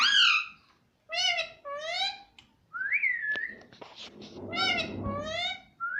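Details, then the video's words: Pet parrot talking, with words such as "Mummy" and "Mitthu"; shrill harmonic syllables in pairs, a rising whistled note, a few sharp clicks and rustling, then more arched speech-like syllables. "Talking parrot - Mummy Mummy Bolne Wala Tota - bolne wala tota - Mitthu mitthu."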